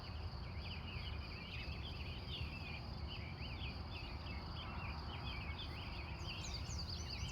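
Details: Glendive, Montana, USA, wild birds at dawn from 3:45 a.m.: rapid chattering chirps repeat densely throughout, with sharper high ticking notes near the end, over a constant shrill hum and low noise.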